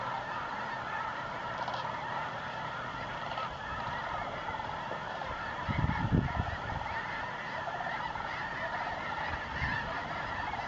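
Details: Snow Geese in November 2014 winter quarters in the New Mexico desert, multitudes circling before settling at nightfall; a continuous clamour of honks from a huge flock, with a brief louder low rustling burst around the middle.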